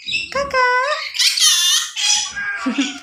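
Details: Talking yellow-sided conure gives a rising harmonic utterance that flows into loud, harsh, bright squawking, while a low human voice murmurs at the start and end.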